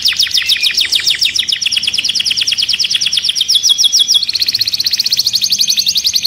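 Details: Agitated canary in its cage delivering a long even trill of quick descending notes, then switching to a faster, higher rattling roll.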